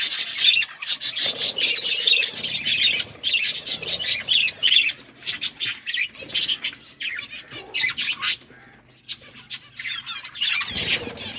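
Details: Budgies eating food amid busy chirping: overlapping warbled chatter and quick squeaky notes, thinning toward the end, with a brief flutter or knock near the close.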